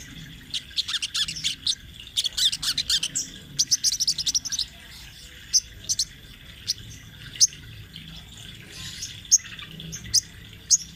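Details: Speckled crimson sunbird giving its rolling training-master song: a dense, fast twitter of high chirps for four seconds, then single sharp high notes spaced about every second.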